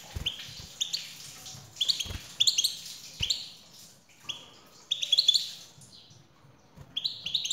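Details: European goldfinch male answering a female's call with lively twittering song. Clusters of high, sparkling chirps and trills come in several bursts separated by brief quiet gaps, with occasional soft thuds beneath.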